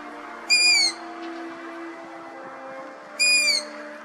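Two high, squeaky, slightly falling whistles from a young long-eared owl, about three seconds apart, over a steady low hum.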